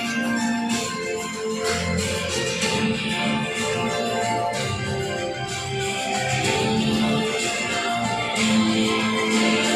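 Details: Loud instrumental music with organ-like tones and percussion plays throughout at a bird park show, with no animal calls standing out.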